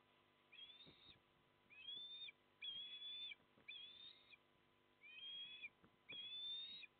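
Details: Osprey at a barge nest in Port Lincoln, South Australia, on a very windy day, with two chicks aged 27 and 25 days and the male bringing fish: high thin whistled calls in short slurred bursts, about one every second, over wind rumble.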